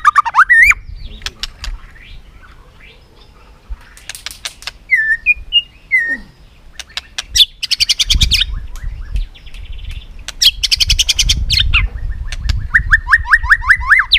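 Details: White-rumped shama singing in competitive style to rouse rival shamas, tail flicking: long, varied song mixing clear slurred whistles, sharp clicking bursts and rapid trills, ending in a run of short repeated rising whistles over faint low background rumble.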